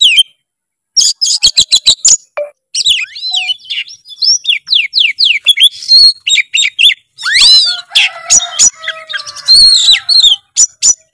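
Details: Oriental magpie-robin singing a full, varied tutor song for training other birds: rapid sharp clicks and chips, then a fast stream of bright whistled slurs, trills and buzzy notes with hardly any pause.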